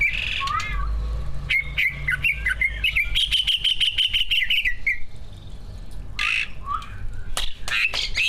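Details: Caged greater green leafbird, one of two prize-winning competition birds, singing a full mimicry-filled song meant to spur other birds to sing: rapid trilled and rattling whistles, a long fast chattering run, then sharp high notes, over low hum.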